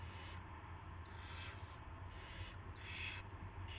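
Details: Owl at a nest in the early morning of 9 March 2016, when a rat is delivered; four rasping, noisy hiss bursts, each under a second, separated by short gaps, with constant low background hum.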